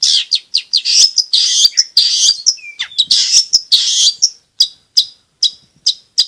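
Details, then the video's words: Long-tailed shrike singing vigorously, a recording meant to coax reluctant shrikes into song and to tutor young birds: a loud, fast jumble of bright chirps and rasping notes, then spaced sharp chips toward the end. "BURUNG CENDET/PENTET GACOR"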